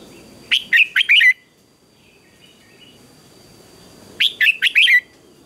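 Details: In a morning fighting-song session, a red-whiskered bulbul repeats a short phrase of quick whistled notes ending in a falling slur, twice about three and a half seconds apart, with a faint steady high tone behind.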